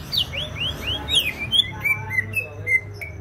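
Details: Greater green leafbird from Banyuwangi, East Java, singing lively, with rising and falling slurred whistles at first, then a quicker chain of short chirped notes gradually lowering, over a soft low hum.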